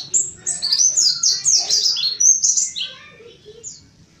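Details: Mountain white-eye song, played as a lure to stir other white-eyes: a quick cascade of high, sharp, downward-slurred chirps that tapers off into a few softer, scattered notes over faint low background noise.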